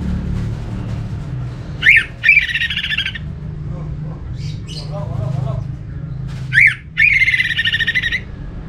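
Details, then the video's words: Orange-headed thrush (anis merah), a kept bird whose song is played as a lure to make other thrushes sing: a sharp upslurred note followed by a harsh, buzzy rasping burst, given twice about five seconds apart over a low background hum. "Suara burung ANIS MERAH ini ampuh bikin ANIS Jenis apapun ikut bunyi"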